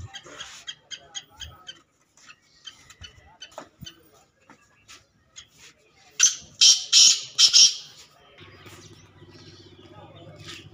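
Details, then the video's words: Grey francolin (teetar) recorded during a morning training session on 17 March 2023; soft clicking chirps are followed by four loud, harsh, rasping calls in quick succession, then a steady low hum. "Teetar Trening"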